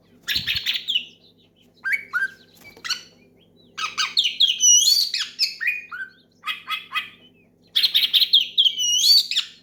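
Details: Oriental magpie-robin in full loud song used to call out a rival; varied whistled slurs, rising and falling sweeps and scratchy chatter in quick phrases separated by short gaps, over a faint steady hum.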